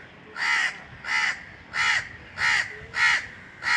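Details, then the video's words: Indian Crows cawing from the top of a tree on a very hot summer day: harsh, nasal, broad rasping caws, six in under four seconds at a steady pace, over faint background hiss. "Indian Crows cawing"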